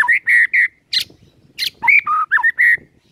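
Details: White-rumped shama song used as a morning lure to prompt caged birds to sing: loud whistled phrases near the middle range, short clear notes and a few harsher bursts, repeated in quick separate bursts.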